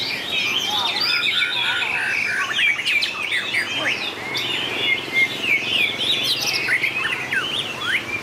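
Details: White-rumped shama contest singing with long changes of voice: an unbroken cascade of rich whistles, fast trills and sharp up-and-down slurs, loud and crowded throughout eight seconds.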